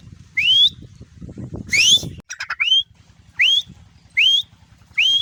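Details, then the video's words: One of two pet grey francolins, one caged and one perched on its owner's hand, calling in response to the owner's whistle. Loud, sharply rising whistled notes about once a second over a low rumble. "teetar ki awaz | teetar voice | teetar sound"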